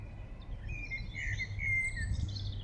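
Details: In Regent's Park, London, a song thrush delivers a quick string of bright whistled notes and twittery slurs, faint against a constant low urban rumble.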